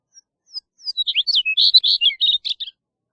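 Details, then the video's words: A Chestnut-collared Longspur sings a quick, sweet, tumbling warble of high slurred notes lasting about two seconds, rising in pace before trailing off; nothing else is heard. "Chestnut-collared Longspur Singing! Calling! Sound! - Escribano Collarejo Canto"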